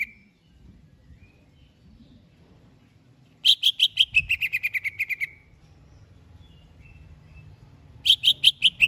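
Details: Cucak hijau, the greater green leafbird, said to be ready for a singing contest, delivers a rapid run of sharp, ringing notes lasting nearly two seconds, each slightly lower than the last, then repeats a similar burst after a pause; faint low hum behind.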